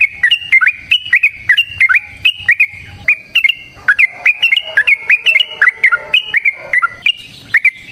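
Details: Yellow-vented bulbul giving a long, rapid fighting song: bubbly, whistled two- and three-note phrases that dip and rise, repeated almost without pause, with sharp clicks between them.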